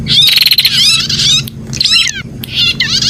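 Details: Prinia (prenjak) in a 'pijat' style recording: loud, harsh, buzzy chattering bursts with rapid rattling trills and sweeping notes, broken by brief pauses, over a steady low hum.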